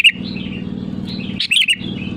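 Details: Sooty-headed bulbul calling rivals, used as a lure: one quick bubbly whistled phrase between soft chatter, over a steady low hum.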